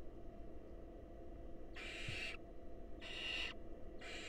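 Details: Wild barn owl at a monitored nest box as the male presents a mouse and the female feeds it to an eager nestling; three harsh, hissing screech bursts, each about half a second, separated by roughly a second of low background rumble.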